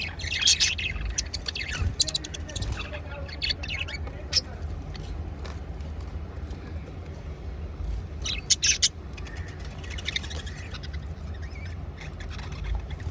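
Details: A group of budgerigars chattering together in bursts of scratchy, high chirps and squawks over a low rumbling background.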